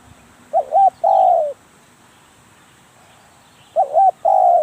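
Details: Spotted dove kept for decoy trapping, uttering two cooing phrases about three seconds apart, each a short double hoot leading into a long, softly falling coo.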